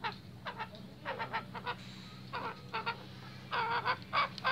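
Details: Restless male junglefowl giving harsh, broadband clucking notes in short irregular bursts, some doubled, with quiet gaps and a loud cluster near the end over a low steady hum.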